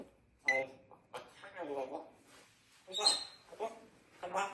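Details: Pet grey parrot kept indoors, a bird that flies straight back to its owner when called, chattering in bursts of speech-like syllables with a few clear whistled tones between short pauses, in a quiet room.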